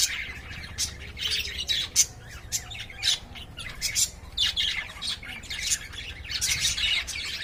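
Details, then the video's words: Lovebirds in a cage during courtship produce scratchy squawks and high chirps in uneven clusters, punctuated every second or so by louder shrill notes. "love birds 🐦 making sound 🔊 and playing"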